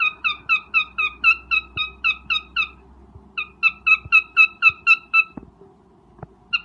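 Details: Cockatiel calling to mate while breeding: two long runs of quick, bright chirps, roughly four a second, split by a pause, with scattered clicks and taps and a low hum in the background.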